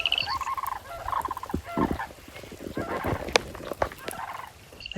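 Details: Four sandhill cranes fly in over the Montana prairie calling to each other, giving loud, rolling, rattling bugles in quick overlapping bursts, with rain pattering in the background.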